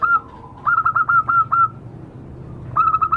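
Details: Zebra dove, a local wild bird, calling in a trapping lure recording: bursts of rapid staccato coos in quick series, a short pause, then another run of clipped repeated notes, over a steady low hum.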